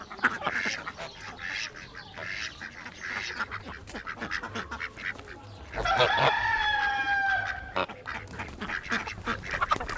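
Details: Chickens in a real outdoor coop: continuous overlapping clucks, squawks and chatter from many birds, with a drawn-out, strongly harmonic call midway and steady background rustle.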